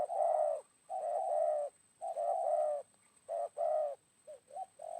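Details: A wild spotted dove, found after midday deep in an oil-palm plantation after morning rain, gives soft, low hollow coos in short phrases of two to three notes, with a faint steady high hiss behind.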